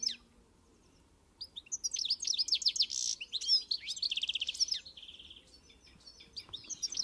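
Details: After a quiet start, a goldfinch bursts into fast twittering song: sharp chirps, rapid buzzy trills and a sustained rattling phrase, then softer scattered twitters and a renewed flourish at the close.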